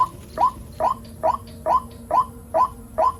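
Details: White-breasted waterhen calling in the rainy season, a time of many chicks: eight bright rising notes, evenly repeated about twice a second, with a faint low drone behind.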